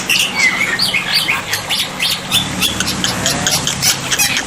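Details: Tutor recording of black-winged myna, meant to make silent birds answer: harsh squawking bursts mixed with short whistled slurs, busy and continuous, with a faint low hum in the background.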